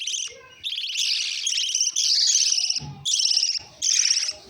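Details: Lovebird chatter in long, strident, buzzy trills and screechy bursts that run together, broken by brief pauses and a few soft low knocks.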